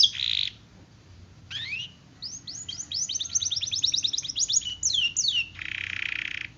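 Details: Gacor canary singing to coax quiet canaries into song, with a brief buzzy burst, a pause, then a run of quick sweeping notes and closing buzzy trill.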